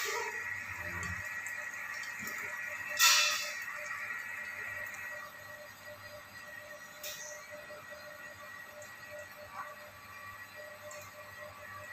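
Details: Steady faint background hum and hiss with a couple of brief clicks and knocks; no clear animal voice stands out.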